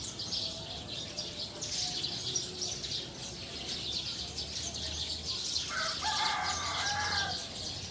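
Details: Wild Eurasian tree sparrows settling to sleep in a tree, a flock chattering nonstop with rapid, overlapping high chirps; near the end a lower, harmonic call pattern briefly rises above the chorus.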